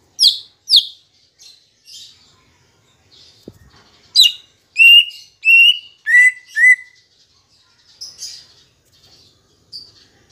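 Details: Song of a green leafbird, used as a lure to make caged birds sing: sharp high chips, a short pause, then a run of strong clear whistles, each sliding slightly and dropping in pitch, ending in soft chatter.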